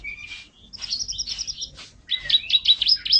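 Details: Canary singing as a tutoring recording for pet songbirds. Mixed, softer phrases of chirps and whistles open the passage, followed by a brighter run of quick zigzag notes.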